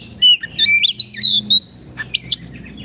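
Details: Oriental magpie-robin pouring out loud song, recorded as training for caged kacer that have gone quiet: long wavering whistled phrases in three sustained bursts, followed by short clicks and softer notes.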